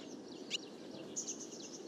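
A barn swallow gives quiet, high twittering chirps and a short sweeping note over a steady hiss of background noise.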